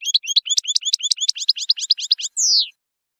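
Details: European goldfinch in the wild, song played to teach young birds: a rapid, dense run of bright chirping twitters at a steady pace, closing with a long buzzy descending note.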